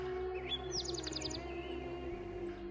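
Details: A singing Spotted Towhee at the Santa Fe Canyon Preserve, Cerro Gordo trailhead, New Mexico, on 14 June 2025 gives a brief high note, then a quick run of about seven buzzy trilled notes lasting half a second, over steady soft background music.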